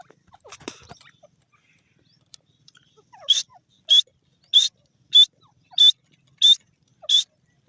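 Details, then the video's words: Grey francolin calling: after faint scattered sounds, a series of seven short, sharp, high notes repeated evenly about every two-thirds of a second, loud and clear against a quiet background. "dasi Teetar bird sound,irani desi teetar ki awaz"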